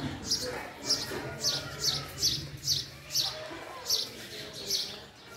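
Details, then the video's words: Nine short, bright house sparrow chirps in a fairly steady series, each a crisp high note, with a soft low hum underneath. "sparrow sound: female Sparrow sound vs. male Sparrow Sound, house sparrow call"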